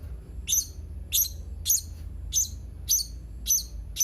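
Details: Sharp piercing high chirps of a Blue-crowned hanging parrot, dated 31 March 2021, seven notes delivered at a steady pace of roughly one every 0.6 seconds.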